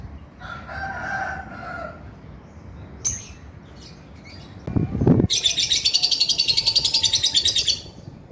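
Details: Male lovebird in chattering 'ngekek' style: a rapid buzzy trill of high harsh pulses runs about two and a half seconds after scattered squeaks, a brief burst and low background rumble.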